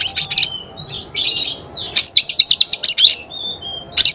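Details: Oriental magpie-robin singing hard in gacor style, said to stir other magpie-robins into excitement. A jumble of high, harsh chattering notes runs into a quick series of sharp repeated chips, broken by thin whistles.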